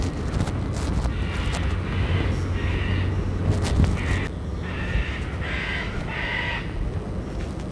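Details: Macaws flying over a jungle area give their loud contact call, used to locate and communicate with each other: harsh, raucous squawks in several bursts over a few seconds, above a steady low rumble.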